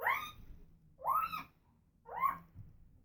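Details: Female pet African grey parrot making noises: three loud, nasal, meow-like calls, each rising then falling, spaced about a second apart.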